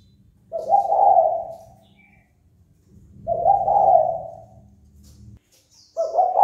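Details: Provoking call of a spotted dove meant to rouse rivals to fight, two long mellow coos about three seconds apart and the start of a third, over a low rumbling background.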